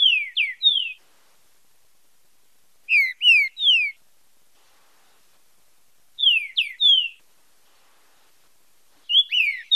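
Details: Green-winged saltator in the fibra style with marcheado, a song for training and stimulating singing: short phrases of three or four clear, descending whistled notes, repeated about every three seconds against silence.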